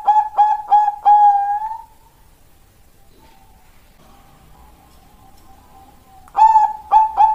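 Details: Bangkok-type zebra dove, a female calling a male, recorded as a lure sound: bursts of mellow, stuttering coos repeated in quick runs, then a quiet pause with faint sustained tones, then another clear cooing burst.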